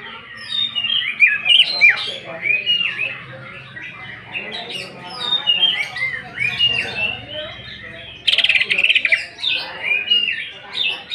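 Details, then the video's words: Greater green leafbird delivering a 'nembak' burst of rough fill material meant to provoke singing: a long, varied chain of slurred and twisting whistles, broken near the end by an abrupt, loud, buzzy rattle before the whistling resumes. "Pancingan emosi Cucak ijo. Cucak ijo nembak bongkar isian kasaran."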